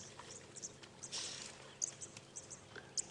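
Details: On a chilly sunrise in the African bush, red-billed and yellow-billed oxpeckers squabble on one cape buffalo in a herd, giving short, harsh, high-pitched hissing chirrs and rasps in scattered complaining bursts over a faint hum.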